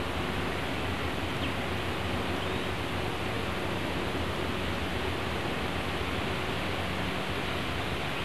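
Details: Steady broadband hiss with a low rumble throughout, like wind or distant traffic, with no animal voice.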